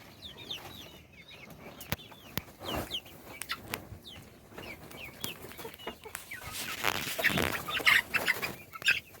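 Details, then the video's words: Chicks feeding and chirping with rapid high peeps that slide downward, about one a second at first, followed by louder scratchy clatter and a few sharp clicks toward the end. "صوت الدجاج // little chickens chirping SOUNDS"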